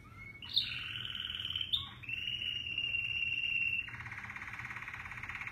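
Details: An American Singer canary, a cross of Border and Roller canaries, sings continuously in bright, high trills and sustained rolling tours, shifting to a faster, buzzier trill near the end.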